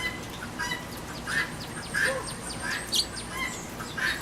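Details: Backyard feeder in rain, a guinea hen giving rough, irregular squawks about every half second to second, with faint higher chirps from other birds and steady rain noise.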